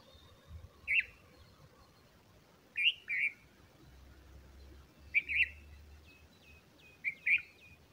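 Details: Bulbul feeding its chicks: short, bright, twisting chirps in paired bursts, sounding roughly every two seconds, four bursts in all, over a soft low rumble.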